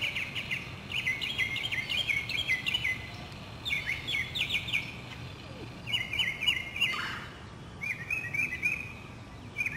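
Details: Urban Northern mockingbird in South Carolina, spring 2008, delivering rich varied song: rapid stuttering trilled phrases, a harsh burst, then sharp repeated chips, with other birds faintly singing in the background.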